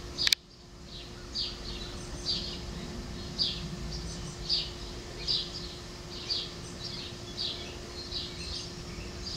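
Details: Two young rescued great horned owls at a local wildlife rescue center give harsh, hissing screeches about once a second, over a steady low hum and a sharp click at the start.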